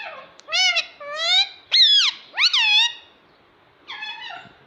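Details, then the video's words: Talking pet parrot saying "mummy": a run of four strong, harmonic, voice-like syllables, some rising sharply and then sliding down, followed by a pause and one flatter, nasal phrase. "Talking parrot - Mummy Mummy Bolne Wala Tota"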